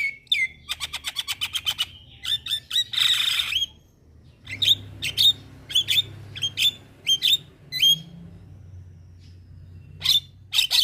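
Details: Starling lure to make mynas such as Javan, black-winged and Nias respond: a rapid rattling burst, a rough scratchy squawk, a pause, then a long series of short clipped whistled chirps.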